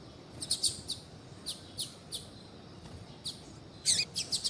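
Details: Calling female double-collared seedeater, meant to heat up a male so he sings; soft, fairly sparse high chirps spaced through the recording, ending in a brighter cluster of quick notes, over a steady low background hiss.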